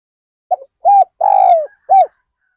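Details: Spotted dove used as a decoy to lure wild birds at Ban Nong Hin: one low cooing phrase of a short note, a rounded coo, a long, slightly falling coo and a final rounded coo, in a quiet setting.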